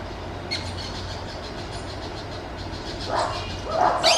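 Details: Wild Orange-chinned Parakeets give harsh, scratchy chattering bursts that grow louder toward the end, after faint thin notes early on, over a low steady background hum.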